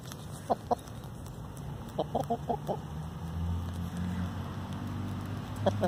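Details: Free-range hen grumbling with short, low clucks: a pair of notes near the start, a quick run of four or five around two seconds in, and one more at the end over a steady low hum.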